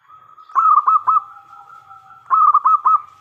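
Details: Local zebra dove with a big voice, singing to make other doves respond: two bursts of three to four rapid, throaty, bubbling coos about two seconds apart over a continuous low tone.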